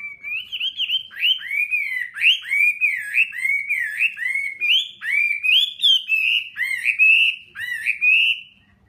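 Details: Caged fighting hwamei, a wild-caught adult kept one season in captivity, singing in the 'hót xòe' style: loud, clear whistled phrases that dip and rise, repeated in quick succession about every half second, with a quiet background.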